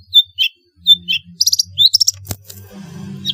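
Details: Long-tailed shrike singing varied fills, used as a lure to get quiet shrikes singing: clear downslurred whistles, then buzzy rattling phrases and a sharp click, over a low hum.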